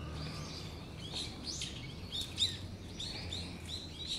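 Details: Brown-eared bulbuls giving a bird-of-prey warning on 14 November 2013: thin, high arched notes, each rising then falling, scattered irregularly over a few seconds against a low background hum.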